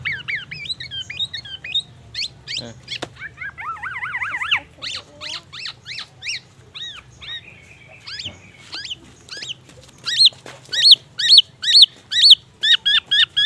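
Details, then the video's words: Black-naped oriole in lively mimicry song, copying oriental magpie-robin and an ambulance siren: varied clear whistles, a rapid wavering siren-like warble, then loud repeated sharp notes about twice a second. The recording is used as a lure. "Kepodang emas gacor bongkar isian murai batu dan suara ambulance"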